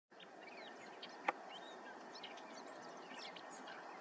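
Common starlings chatter continuously in a busy jumble of short squeaky chirps, whistles and rattles, over a steady hiss of background noise, with one sharp click.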